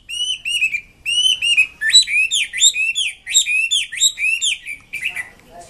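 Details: Chinese Hwamei singing with energy: a run of clear, ringing whistled notes, each rising then dipping, repeated in a steady flowing series of about a dozen, ending in a few softer chips.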